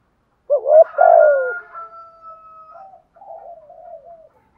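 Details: A spotted dove's coo used to rouse decoy birds: a short rising note, then a stronger drawn-out falling coo, trailed by a faint steady tone and softer murmuring notes.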